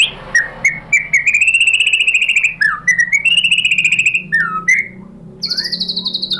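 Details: White-rumped shama lure song for provoking another bird: quick chips building into a long fast trill, then dropping whistled notes and a high, buzzy sustained trill at the end.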